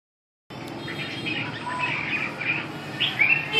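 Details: Red-whiskered bulbul singing: after half a second of silence, short warbled, whistled phrases between mid and high pitch come in a loose, irregular run. They grow louder toward the end over a steady low background hum.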